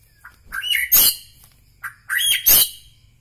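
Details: A white-rumped shama (Copsychus malabaricus) from Bahorok, Medan, sings two matching phrases about a second and a half apart. Each is a clear whistled note, quick rising chirps, then a harsh, raspy burst.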